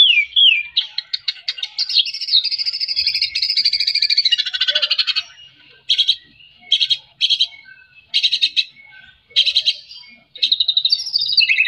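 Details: Song of a white-rumped shama, used to stimulate a lazy caged bird into singing: long, dense warbled phrase of whistles and rattles, then short repeated bursts separated by brief pauses.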